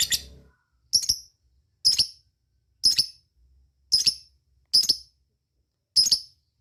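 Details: Lovebird calling companions: short, rough, high double chirps repeated roughly once a second, seven in all, with silence between them.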